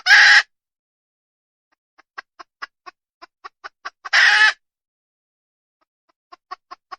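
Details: Wild red junglefowl hen: a series of short, sharp clucks at a quickening pace, broken by two loud, harsh squawking bursts about four seconds apart.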